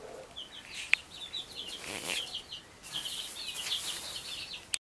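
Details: Four hens and their chicks sharing a cramped, dry hen house where food waits; steady streams of high, squeaky chick peeps overlap continuously, with a sharp click and a soft rustle, then an abrupt cut at the end.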